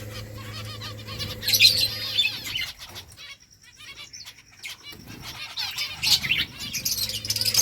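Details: Finches feeding on rice give a busy chorus of high, quick chirps and twitters, overlapping in bursts with a short lull midway, over wing flutters and a steady low mechanical hum.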